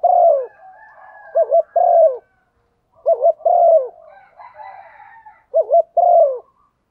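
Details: Spotted dove hen calling to excite a male: a low three-part phrase, a long coo, then two quick wavy notes and another long coo, repeated three times with faint chatter in between.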